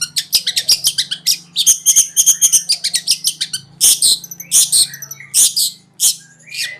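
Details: Long-tailed shrike in konslet style, used as a training master: dense, rapid chattering of high, scratchy notes and short whistled phrases in quick varied bursts, over a faint steady low electrical hum.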